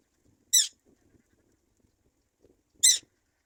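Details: Black-winged kite chick abandoned by its mother, giving two short, loud, harsh high-pitched squeals about two seconds apart, with near silence between.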